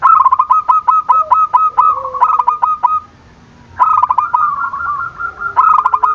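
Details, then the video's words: Zebra doves calling to rouse rivals into calling. Dense, overlapping runs of rapid clipped coos fill the first three seconds. After a brief quiet gap, further loud phrases follow. "Perkutut gacor dor, memancing emosi lawan bunyi"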